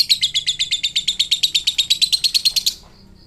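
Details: Ngekek from a fighter lovebird meant to goad other lovebirds into replying: a sustained, shrill, rapidly pulsed chatter of metallic notes that runs steadily for under three seconds, then stops abruptly, leaving faint high chirps.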